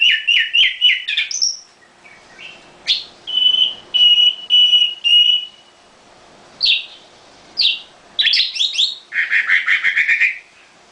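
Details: Singing from its cage, a nightingale delivers trilled phrases, a string of evenly spaced level whistles, separate sharp notes, and a rich chattering flourish at the end.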